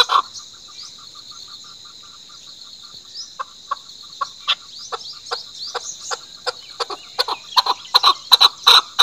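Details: Chukar starting with faint, evenly spaced chuck notes that steadily grow louder and faster. The series builds into a loud, rattling run of clucks over a persistent high-pitched hiss.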